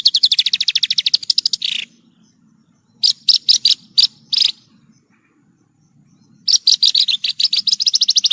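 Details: Horsfield's bush lark singing in training audio for caged songbirds: a fast, rattling trill that drops in pitch at its end, scattered loud chirps, then another rapid trill.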